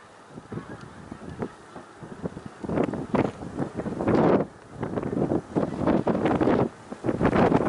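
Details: Snow geese at Middle Creek Wildlife Refuge, Pennsylvania, 1 March 2021: loud surges of massed honking rise and fall, broken by short lulls, with wind rumbling on the microphone.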